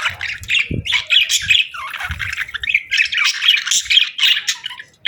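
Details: Budgies chirping and squawking in a rapid, irregular chatter of harsh warbled notes and bright chirps, with a few low knocks underneath.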